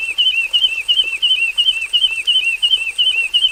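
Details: Caged Javan bush lark in a plain aviary, in continuous 'gacor full isian' song, rapidly repeating one curved, slurred chirp around three times a second with even rhythm; a thin high hum runs steadily underneath.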